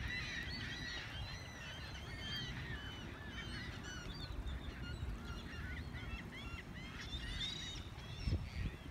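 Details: Seagulls at Biloxi, many birds calling together: harsh, arched, overlapping cries repeated rapidly throughout, with a steady low rumble underneath.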